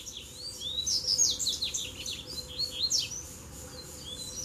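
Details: Double-collared seedeaters duelling after three arrived together to fight a lure bird. Rapid high twittering song of short down-slurred whistles, about three notes a second, in two bursts separated by a brief pause.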